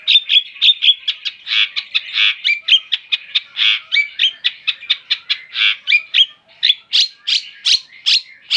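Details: Long-tailed shrike delivering a long run of harsh, evenly spaced chattering notes roughly three to four per second, closing with a few louder rasping calls.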